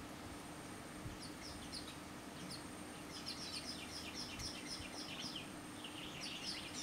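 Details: Eastern golden weavers in Zanzibar, Tanzania, give short, sharp chirps and chatter from several overlapping birds, growing busier after three seconds, over a faint steady hum.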